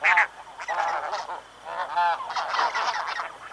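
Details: Snow geese calling from a passing flock at Chincoteague, Virginia: loud, harsh, slightly wavering honks, some drawn out, repeated about twice a second by several birds at once.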